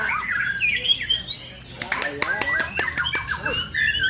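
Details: White-rumped shama singing hard at a songbird contest in Kampung Cipatik, Garut regency, Indonesia: loud varied whistled and chattering phrases around mid pitch, with a burst of clicks and sharp ticks midway and a faint background hum.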